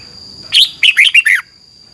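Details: Single crisp phrase from a Thai red-whiskered bulbul used to train caged birds: five rapid liquid whistles sliding up and down, loud and clear against a thin constant background tone.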